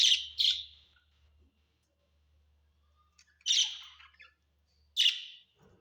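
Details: Budgerigars kept at home give three loud, harsh squawking bursts, a double one at the start and single ones about three and five seconds in, with quiet between them and a soft low hum.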